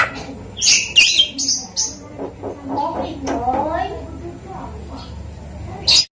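A Javan myna gives a few sharp, high whistles, then a run of hoarse, speech-like syllables imitating a human voice, ending with a brief squawk.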